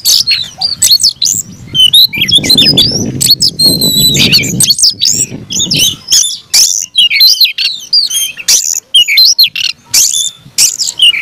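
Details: Caged Oriental magpie-robin pouring out an aggressive fighting song of loud whistles, abrupt clicks and harsh chatters in rapid bursts, with a low rumbling background in the first half.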